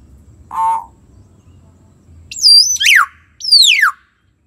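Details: Common hill myna, used to prompt a silent bird to sing: one nasal, buzzy harmonic note, then after a pause a burst of high, sharp whistles that sweep steeply downward.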